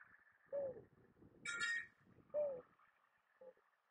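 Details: Two low, slightly falling hollow coos from a mourning dove with a faint third note, interrupted by a brief bright high-pitched burst between them.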